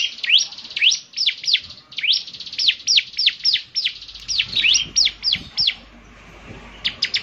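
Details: Bar-winged prinia (ciblek semi), singing actively, with a distinctive song said to prompt other ciblek semi to sing; rapid shrill sweeping whistles pour out, several per second, tapering to a few final notes.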